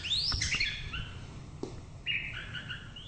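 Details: White-rumped shama singing clear whistled phrases, an opening burst of high, sweeping notes followed by a pause, then a steadier, level whistled phrase, over a faint low background rumble.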